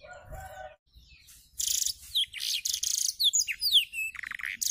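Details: Canary learning blackthroat song while opening its wings; a soft low murmur gives way to loud harsh buzzy bursts, then sweeping high whistles and short trills.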